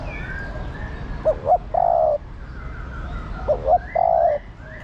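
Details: Spotted dove hen coaxing a male: two identical low phrases about two seconds apart, each two short hoots and a drawn-out croon. Other small birds whistle rising and falling notes in the background.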